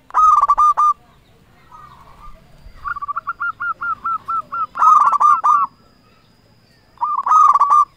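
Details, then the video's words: Lure song of a local zebra dove, used to provoke rivals into replying: short bursts of clipped, rolling coo notes separated by quiet gaps, some bursts overlaid with rough, buzzy rattles. "Perkutut Lokal Gacor Raja Pikat Paling Ampuh Ahlinya Bikin Lawan Gacor Nyaut"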